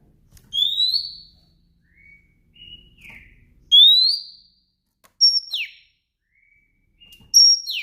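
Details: Afternoon call of a female Oriental magpie-robin, used to stir males into song: a loud rising whistle, soft level whistles, then a sharp high note dropping steeply, the sequence repeated twice in a quiet setting.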